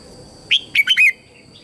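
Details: Lure red-whiskered bulbul singing to bring wild birds in to fight; one rising whistle then three run-together fluty notes, the last drawn out and sliding down, over a faint steady high tone.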